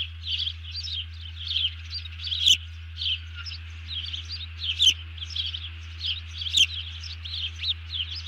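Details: A bald eagle alerts after grabbing a fish while another eagle ducks, 31 July 2020 at about 04:42: long sequence of thin high chittering notes, several a second, a few sharp clicks, and steady low hum beneath.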